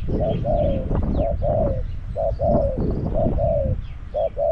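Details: Spotted dove, a caged decoy calling for wild doves at Song Phi Nong. Steady series of paired coo phrases, a short note then a longer falling one, about four phrases over a few seconds against low rumbling background.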